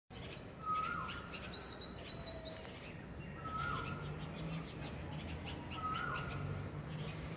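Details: Small bulbuls on a tree: one gives a short, falling whistled note about every three seconds, while rapid high chirps from other small birds come in between, over a steady background hum.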